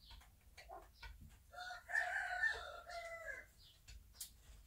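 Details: Bantam hen in its nest on a small backyard farm, letting out a drawn, harsh, raspy squawk lasting over a second amid soft clucks and rustling, with low background rumble.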